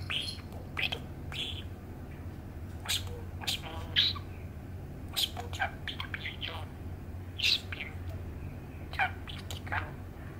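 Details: An eight-year-old male budgie sits on his cage roof on a sunny autumn day and mutters to himself. Scattered short chirps, squeaks and raspy chatter notes come at uneven intervals over steady low background hum.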